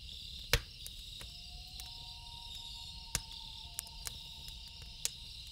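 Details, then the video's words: Night loon call: a sustained, level wail that begins after a loud fire pop and carries on to the end. Occasional campfire snaps and a high insect drone continue throughout. "1 Hour Loon Calls With Campfire Sound - Loon Calls For Relaxing"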